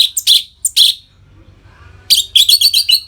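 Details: Ngeplong singing by an Orange-headed thrush, played to stimulate caged birds: brief harsh chirps, a pause, then a dense rush of fast, high chattering notes.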